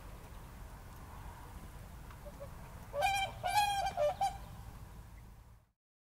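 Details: Whooper swan (Cygnus cygnus) in Tartu county, Estonia, on 13 April 2013, giving a quick series of four loud, bugling honks in about a second and a half, over a steady low rumble of wind.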